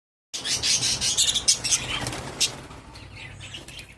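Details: Pet budgerigars giving a burst of bright chirps and scratchy warbles mixed with wing-flapping, fading after a couple of seconds into softer, scattered twittering.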